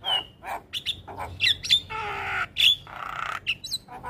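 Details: Varied black-winged starling training song full of fill-in phrases for teaching young birds: sharp whistles, rasping buzzy stretches of about half a second, and abrupt high chips in an irregular sequence.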